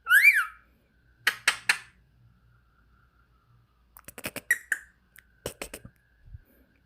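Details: Parrot indoors, likely a lory or conure, giving a loud harsh squawk at the start, then bursts of buzzy chattering squeaks and short rising whistles in clusters, with quiet gaps between; a person's voice speaks softly nearby.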